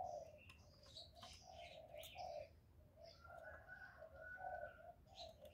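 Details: A decoy spotted dove coos steadily in a contest with a wild dove, giving low, repeated notes about every half second, amid bright chirping and twittering from other birds.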